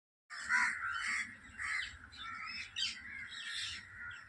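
A parrot flock chatters in overlapping harsh squawks and screeches, a dense continuous chorus with no clear individual rhythm.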